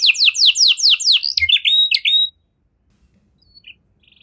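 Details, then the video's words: Canary singing a luxurious cengkok phrase to make other canaries sing: a rapid series of descending slurred notes, a few short chirps, then near silence with faint distant chirps. "Burung Kenari Mana Saja Pasti Ikut Gacor Setelah Dengar Kenari Cengkok Mewah Ini"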